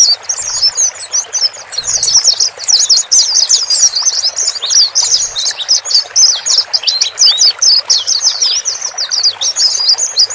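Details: Male and female white-eyes, calls used to calm a new bird in a lone cage; a continuous chorus of high, thin, buzzy twitters from several birds, with a few low thumps early on.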